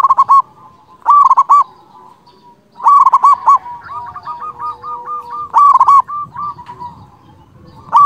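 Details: Local zebra dove singing strongly to provoke rivals: loud rolling coo phrases of three to five notes repeat every one to three seconds, with a quieter bird answering in a fast stuttering series between them.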